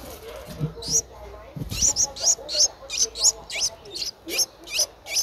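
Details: Streak-eared Bulbul nestling at 10 days old, Ubon Ratchathani, Thailand, 12 April 2023. A soft thump opens the clip, then piercing high chips repeat quickly in a slightly uneven rhythm.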